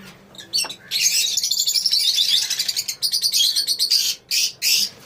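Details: Colony of lovebirds giving a loud, continuous wash of squeaky, high chirps and screeches, thinning into two brief final bursts.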